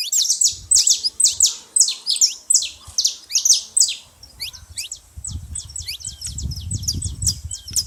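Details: Saffron finches noisy at a feeding spot: loud, rhythmic bursts of shrill downslurred chirps, then thinner, quicker high ticks over a low rumbling background.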